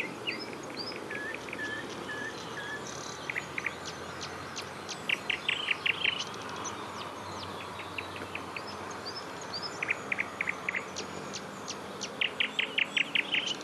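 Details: Eurasian coot chicks, six of them, swimming with their parents in early June 2019; thin high peeping notes repeated in quick runs, clustered bursts of sharp piping around five to six seconds and again near the end, over constant background noise.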